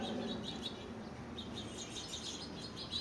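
Lesser goldfinches give quick, high chips and twittering notes, repeated several times a second, over a steady low rumble of background noise.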